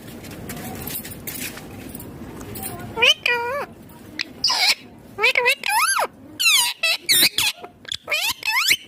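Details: Pet ringneck green parrot chattering in its natural voice: after background noise, a burst of repeated shrill, rising-and-falling harmonic squawks and chirps in quick irregular succession.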